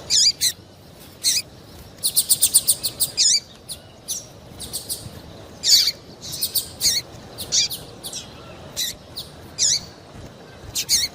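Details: Female double-collared seedeater calling to stir males into song, as used by breeders for singing contests; sharp high chirps and a rapid run of ticks, scattered through the clip over a quiet background.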